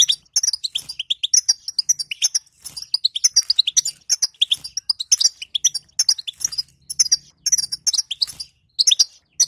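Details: European goldfinch female 'batbata' call, used to rouse a silent goldfinch into singing: dense, fast, high tinkling twitter of short metallic notes in bursts, with brief pauses between phrases.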